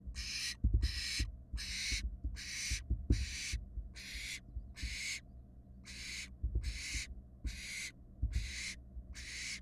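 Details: Barn owl fledglings in a Florida nest box on a live camera, 2022 season, give harsh broadband hissing screeches, about thirteen bursts in quick succession, roughly every 0.7 seconds, over low thumping and rumbling sounds from the box.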